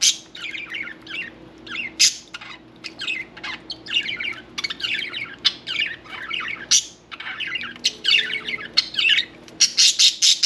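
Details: Pet budgerigars chatter around a bath in quick, scratchy bursts of warbles, chirps and clicks, with sharp squawks breaking in every second or so; a faint steady hum runs underneath.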